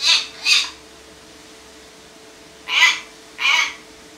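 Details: A pet hill myna, angry and demanding food because none is given, gives four harsh, raspy squawks, two quick ones, a pause, then two more, over a faint steady indoor hum.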